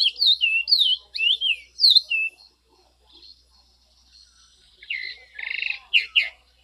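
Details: Orange-crowned oriole giving a series of curving whistled notes, then after a pause a harsher, buzzy, rasping phrase mixed with short whistles.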